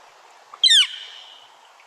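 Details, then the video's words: Northern Flicker giving a single loud, harsh, downslurred 'kia' call, sharp at onset and fading quickly, against a quiet background. "I ran them together accidentally, but those are both characteristic northern flicker vocalizations."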